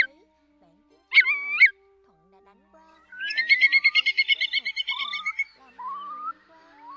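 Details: Whimbrel call used as a night-netting lure during August migration: a short whistled note, then a fast rippling trill of about a dozen even, clear notes, followed by a few rising whistles.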